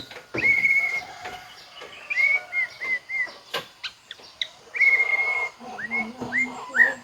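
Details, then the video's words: White-rumped shama singing its filler phrases: clear sustained whistles and short rising and falling whistled notes, repeated in bursts with brief gaps. Faint background noise. "MURAI BATU FULL BONGKAR ISIAN"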